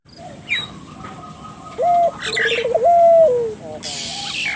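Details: Barbary dove in vigorous calling, used as a lure for local doves: one loud phrase of a rising note, rolled trill and drawn-out falling coo, amid soft coos, a brief flutter and other bird chirps.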